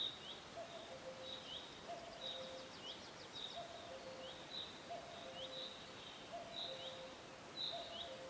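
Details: Cuckoo in forest ambience, calling steadily with low two-note phrases, high then lower, about every second. A chorus of bright high chirps and a brief rapid trill from other birds accompany it.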